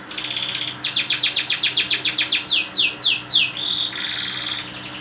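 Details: Canary song recorded as a tutor track for training birds: a fast series of repeated descending chirps about four a second, followed by a rapid buzzy trill, over a low steady hum.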